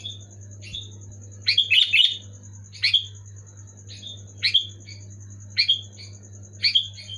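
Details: Kutilang, the sooty-headed bulbul, delivering loud clear song meant to make reluctant pet bulbuls sing: a tight cluster of chirpy phrases, then single bubbly whistles about once a second, over a steady mains-like hum.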